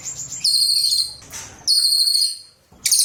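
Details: A cililin gives high, thin ringing trills in short bursts, two steady phrases followed by the start of a louder, harsher one.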